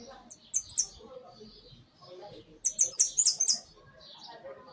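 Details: Hooded siskin kept in a big cage, singing two short phrases of piercing, high, slurred notes, the second longer with about four quick elements, amid faint background chirps of other birds.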